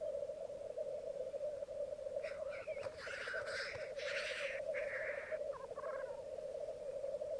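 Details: Displaying black grouse at a May 2022 morning lek on the bog at Mykland, twelve cocks and two hens: a cluster of overlapping hoarse hisses in mid-clip above a steady deep bubbling chorus.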